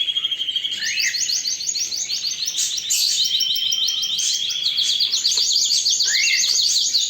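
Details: Strong canary song made of rapid, evenly repeated chopped notes in a high rolling trill that runs almost unbroken, with a few brief downward-swept notes mixed in.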